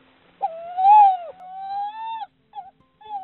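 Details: A Tawny Owl pair at their ash-tree nest in the Yorkshire Wolds in 2021 call back and forth, the incubating female calling her mate for food: a long, clear, slightly rising tonal note, then two brief shorter notes.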